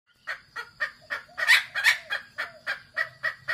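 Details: Wild red junglefowl (Gallus gallus), kasintu type, giving a rapid run of harsh, mid-pitched clucks, about three to four per second, with a faint low hum near the end; a lure call to stir captive decoy and wild birds.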